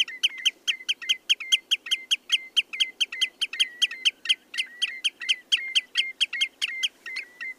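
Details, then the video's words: Common redshank singing a fast, ringing series of fluty, slurred notes, about four a second, at an even, fairly high pitch over faint background noise. "The song of the Common redshanks"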